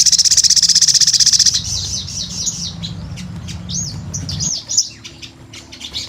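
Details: Sunbird delivering a fast, regular high trill for about a second and a half, then softer looping whistled notes and scattered chips over a low background rumble.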